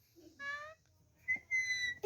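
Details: A pet rose-ringed parakeet speaks "me too" in a high, nasal voice, then gives a clear sustained whistle.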